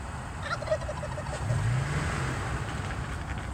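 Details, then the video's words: A wild turkey displaying in Michigan gives a quick rattling gobble of rapid pulses lasting about half a second, followed by a low rumble, with traffic noise underneath. "wild turkey showing off"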